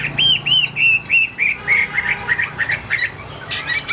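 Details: Tam hoàng Chinese hwamei in a cage, afternoon, not yet singing full out: a series of about a dozen arched whistled notes repeated quickly and speeding up, ending in a brief burst of rustling and fluttering.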